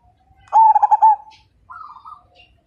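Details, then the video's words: Zebra dove, a Majapahit-type perkutut described as a strong singer whose voice sets other birds singing, gives one loud burst of rapid bubbling coos followed by a softer rolling trill. "Perkutut MAJAPAHIT GACOR DAN FIGHTER Suara Bikin Burung Lain Ikut Manggung"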